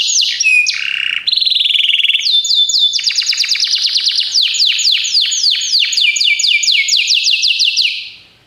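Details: Belgian canary song played as a training recording for canaries: loud, continuous run of rapid trills and sweeping whistled notes, shifting between phrases of repeated descending slurs, with no other sounds.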